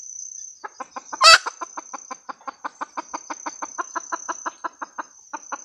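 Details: Red junglefowl hen cackling: a fast, steady run of short clucks, one loud harsh squawk early in the run, with a constant high insect whine behind.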